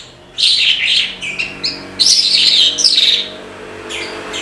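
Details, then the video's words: Australasian bush lark (branjangan) delivering lively song: rapid, high, trilled and buzzy phrases in quick succession, a pause, then another run of rich chattering notes, with a low hum behind. "BRANJANGAN GACOR TIADA LAWAN"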